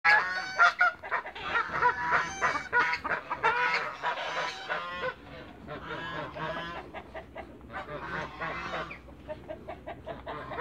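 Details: Four hybrid Canada × African geese meeting, on a farm: dense bursts of loud, harsh, overlapping honks, calling almost continuously and then trailing off to quieter scattered honks toward the end.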